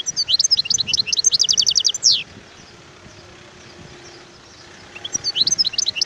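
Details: Wild European goldfinch song: a quick jumble of high, thin twittering notes running into a fast trill that ends in a downward slur. A quieter second burst follows after a pause, with a faint steady background hum.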